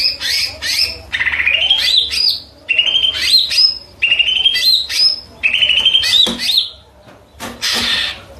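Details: Greater green leafbird (cucak ijo) singing repeated rich whistled phrases, each rising and wavering, given about once a second with short gaps, ending in a harsh high burst.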